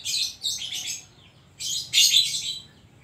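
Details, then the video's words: Oriental magpie-robin (kacer), a caged songbird, singing in the 'isian' style with imitated notes: loud bursts of harsh, buzzy, scratchy high notes in two phrases, each several syllables long, separated by a short pause. "burung kacer gacor isian koslet"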